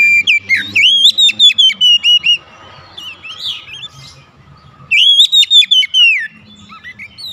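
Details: Domestic Oriental magpie-robin singing energetically as part of daily therapy: two loud bouts of fast, repeated, sharp whistled notes with a quieter passage of warbled notes between them.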